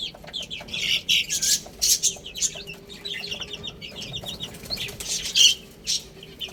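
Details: Young chicks eating and playing, scattered high peeps mixed with fluttering, rustling bursts, the calls rising and falling in short runs.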